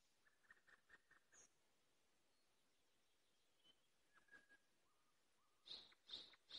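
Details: Quiet, distant nightingale trilling: short repeated notes, a pause with soft scattered whistles, then three loud, bright high notes at the end.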